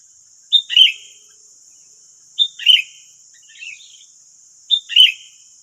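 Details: Sooty-headed bulbuls, wild birds responding to a decoy in West Lampung, Indonesia, give three bright, slurred chirp phrases about two seconds apart, with a softer note between, and a constant high-pitched insect hum behind.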